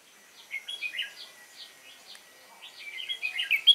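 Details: Red-whiskered bulbul, a wild-caught bird, recorded 22 October 2018: a run of quick sliding chirps, then a louder jumbled warbling phrase, over a faint steady hum.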